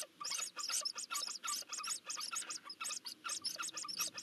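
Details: Begging from Eurasian hoopoe nestlings at feeding time, Nagyberény, Hungary, June: a steady train of short, sharp, high hissing notes, about three per second, with brief gaps between them.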